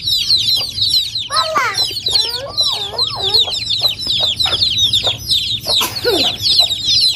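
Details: Chicken chicks peep nonstop in a high, busy chorus in Noldang village, while an adult bird adds drawn-out wavering calls that rise and fall around the middle of the recording.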